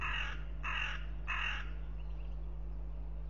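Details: Hooded crows caw during a fight at a goshawk nest in Riga, Latvia, on 10 April 2021, recorded by a nest camera: three loud harsh caws about half a second apart, over a steady low electrical hum.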